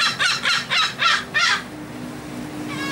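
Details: Gulls being fed aboard a Texel ferry, Netherlands, March 2014: five loud, raucous squawks in quick succession over about one and a half seconds, then only the hum of the ship's engine.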